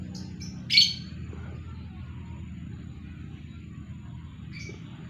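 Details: Lovebird calling to mate after its female was separated, the bird left free alone: two faint short chirps, then one loud, harsh, buzzy screech, and a quieter chirp about four seconds later.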